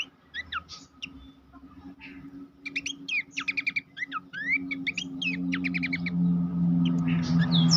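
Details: Master recording of Abbott's babbler for training competition songbirds: sparse notes, then a rapid burst of sharp whistled chatter, while a low droning hum grows louder toward the end.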